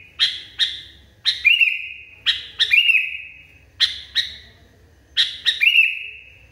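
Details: Agitated sooty-headed bulbul, described as raging hard, giving sharp chipping notes followed by a long, level, slightly falling whistle; the phrase repeats about every one and a half seconds with a quiet low hum beneath.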